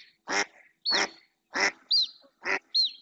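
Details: Female mallard calling persistently in the marshland of Doñana, Spain, with other ducks coming near; short harsh quacks alternate with brief arched high whistles, roughly three quacks within three seconds.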